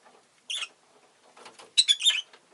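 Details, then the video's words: A Rosy-faced lovebird gives a short harsh shriek, then after a brief pause a rapid run of three loud raspy chirps, with faint soft chatter in between. "Lovebird Chirping Sounds"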